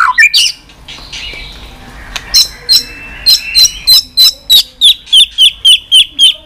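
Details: White-rumped shama making continuous 'tạch' calls for firing up a weak bird: a soft warble at first, then crisp, high, sharp notes repeated evenly about three times a second for several seconds.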